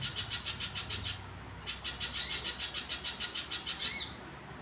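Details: Wild little spiderhunter singing: quick series of high, dry notes, a short silent gap, then the rapid repetition resumes with two sharp, bright chips standing out.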